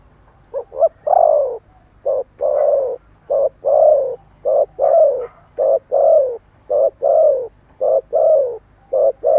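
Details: Spotted dove cooing hard and continuously: a long series of low hooting phrases, short notes alternating with longer descending coos, packed tightly with barely any gap.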